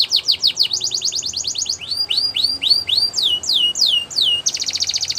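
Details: Belgian canary song used for canary training: quick falling notes give way to a rapid even trill, then slower looping downslurred whistles, and finally a dense high rolling trill.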